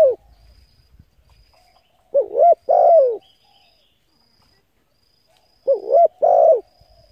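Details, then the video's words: Spotted dove coos used to lure and excite decoy birds: two soft, low coo phrases about three and a half seconds apart, each a short rising-falling note followed by a longer, drawn-out coo. "Tiếng cu gáy hấp dẫn đủ bài thúc gù gáy gọi kích mồi tập bổi nhanh nổi hiệu quả"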